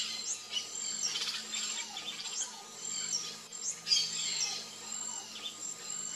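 Variable oriole song: bright, rising whistled phrases repeated every second or two, mixed with high chirps and a steady high hiss of insects or background noise.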